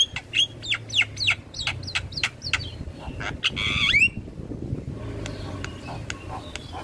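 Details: Javan myna in nodding song, recorded as training audio for starlings: a fast string of downslurred whistles and clicks, ending in a harsh rising squawk, followed by quieter distant chirps and low hum.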